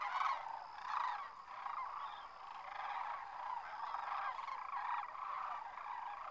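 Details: Sandhill cranes taking off en masse at a winter roost, Whitewater Draw, McNeal, Arizona; overlapping rattling bugles from many birds, with louder bursts near the start and around one second, then a steady, churning chorus.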